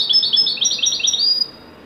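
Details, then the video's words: Moroccan European goldfinch, wedani type, performing joyfully: a fast, high, liquid twittering phrase of looping notes lasting about one and a half seconds, then fading to quiet background hum. "تغريدة طائر الحسون الويداني المغربي قمة الاداء فرحة ممتعة"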